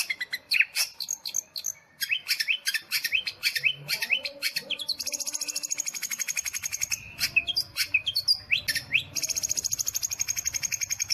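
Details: Long-tailed shrike singing in nitik style: a rapid, varied stream of sharp rising whistles, chips and chatters, breaking into long runs of fast, evenly spaced ticking notes, with a faint low hum beneath.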